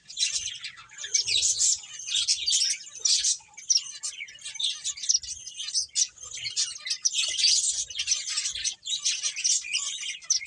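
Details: Finches at play keep up a continuous high-pitched twittering, many quick overlapping chirps with brief lulls and faint low bumps in the background.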